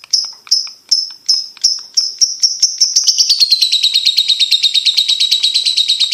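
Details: Champion competition lovebird (labet) singing: a loud series of sharp, high chirps quickens steadily from about two per second into a long, continuous buzzy trill in the second half.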